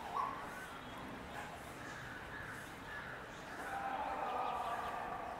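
A jungle myna gives a steady run of harsh, chattering notes mixed with brief clear whistles, fairly low-pitched and continuous throughout.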